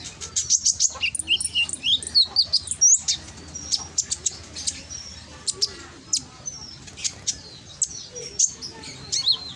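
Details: Brown-throated sunbird (konin) loud, ringing lure song from Gresik, East Java, Indonesia, meant to provoke lazy konin into answering. Rapid high chirps, sharp clicks and thin whistled notes tumble in quick bursts with short pauses.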